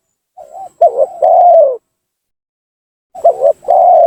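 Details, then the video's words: Spotted dove lure call to entice and anger rivals: two phrases, each a soft lead-in coo, a rapid double coo and a long slightly falling coo, separated by over a second of silence. "suara pancingan gacor tekukur memaksa menurunkan lawan,bikin emosi lawan."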